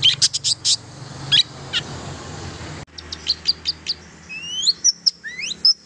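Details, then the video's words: Long-tailed shrike singing, used to get silent shrikes to start singing. A burst of sharp, high chirps comes first, then after an abrupt cut come rising whistled slurs and clipped notes over a faint low hum. "KICAU INI AMPUH MERANGSANG CENDET BISU JADI GACOR"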